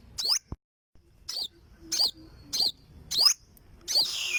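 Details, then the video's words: Olive-backed sunbird (burung madu sriganti) giving six sharp, high, thin swept notes at uneven intervals of about half a second, with a short hiss at the end. "Olive Backed Sunbird Singing - Suara Burung Madu Sriganti"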